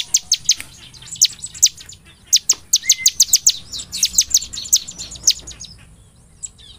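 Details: Loud, constantly singing bar-winged prinia, used to lure prinias into song day and night: a long, dense string of sharp, high downslurred notes in quick, uneven groups, with soft chattering between them.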